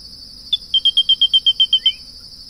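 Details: Grey-breasted crake song: one sharp opening note, then about ten clear, slightly down-slurred piping notes in a quick, even series lasting just over a second. A steady high whine runs underneath.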